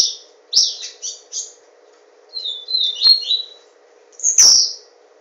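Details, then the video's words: Kept papa-capim (Yellow-bellied seedeater) from Garanhuns, Pernambuco, Brazil, singing: bright, buzzy twittered phrases high in pitch, broken by pauses about two seconds long, with a steady low hum and a few sharp clicks behind. "Papa capim Tornado - Garanhuns-PE"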